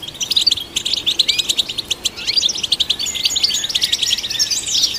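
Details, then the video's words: European goldfinch in sustained song meant to stimulate goldfinches, pouring out lively high twitters and chattering trills with a few sliding whistled notes and a rising sweep near the close. "Golden Songbird vocal performance to stimulate the goldfinch"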